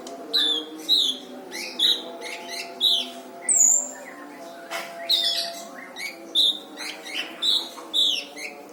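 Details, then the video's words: Master song of a brown-throated sunbird meant for training other caged songbirds, packed with rough bursts: regular high twittering chirp groups almost every half second, one thin high whistle midway, low humming background. "Burung Masteran Kolibri Ninja dada coklat gacor"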